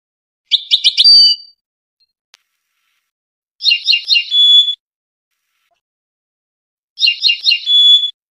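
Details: A Tunisian European goldfinch sings three bright phrases of quick liquid twitters, each ending in a clear sustained high note, spaced about three seconds apart.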